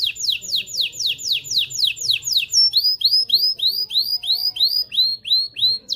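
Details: Canary song meant to stimulate males and excite females for mating: fast runs of descending sweeps, then a series of arched rising-falling whistled notes repeated about three times a second, high and clear.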